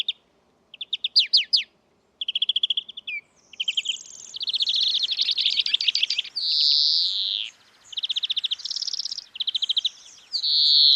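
A European Greenfinch sings rapid, high twittering trills broken by drawn-out, buzzy wheezing notes, repeated in quick phrases with no other sounds.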